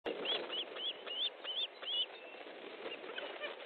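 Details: Osprey at a nest in Estonia, 13 July 2014 at 19:30, during a fish delivery: a run of arched, whistled cheeps about every third of a second, strongest in the first two seconds, then fainter calls over a rustling background.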